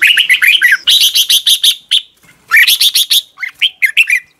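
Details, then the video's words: Red-whiskered bulbul in lively morning song for training other bulbuls: dense runs of rapid, rhythmic chattering notes, roughly five per second, mixed with swooping whistled phrases, nearly continuous throughout. "Luyện chào mào hót sáng, QUÁ HAY - CHÉ KÍCH BỔI CĂNG ĐÉT"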